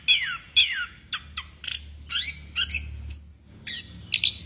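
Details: Vigorous Orange-headed thrush song. Fast descending whistled slurs open the passage, followed by clipped chirps, a long pure high whistle and quick rising-falling twitters, delivered in rapid bursts with short pauses between.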